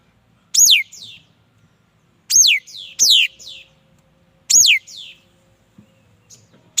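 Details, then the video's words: Singing mi dat bird: loud descending whistles, each followed by a softer echoing downslurred note, in four phrases. A pair comes close together mid-sequence. A faint low hum runs beneath. "Tiếng chim mi đất hót chuẩn"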